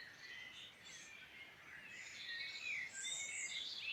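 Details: Midlands Irish birdsong with overlapping high whistles and twittering from several birds, growing fuller and louder toward the end, over a faint hiss.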